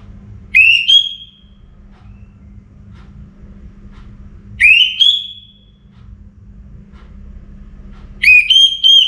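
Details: Orange-headed thrush in full song before morning, North Bali: three loud rising whistled phrases, each swooping up then trailing off, spaced roughly four seconds apart over a soft low hum.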